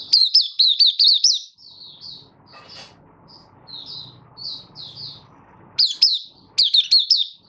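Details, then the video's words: Buka Sing from a caged Malaysian Oriental white-eye, August 2023, in minor moult: quick runs of high, downslurred chirps, then a stretch of soft, separate notes before loud twittering resumes; faint hum underneath. "Malaysian Mata Puteh Buka Sing"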